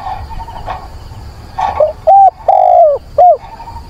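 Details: In wind and rain on 24 September, a decoy dove coos to call a mate. A soft earlier phrase and some noise come first, then a loud phrase of a short coo, a long falling coo and a brief final coo.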